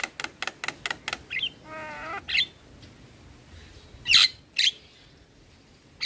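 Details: Javan myna in a tutor recording that mixes in other starlings: a quick run of sharp clicks, a short wavering trill, then scattered loud harsh squawks separated by quiet gaps.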